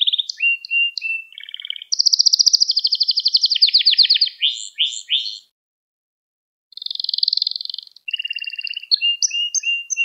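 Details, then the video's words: Singing canary from a training recording for young birds: varied chirps lead into a loud, fast, high rattling roll, then sweeping notes, a pause of over a second, and further rolls and whistled phrases, on a clean, quiet background. "Ders Gibi Kanarya Sesi Ve Ötüşü"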